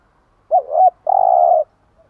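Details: Morning song of a spotted dove used to stimulate caged doves: a short two-part rising and falling lead-in, then one drawn-out, even, throaty coo lasting about half a second, in a quiet setting.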